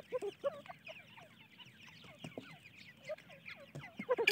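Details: A brood of francolin (teetar) chicks calling: overlapping falling peeps and chirps in steady succession, with a burst of louder, higher notes at the very end.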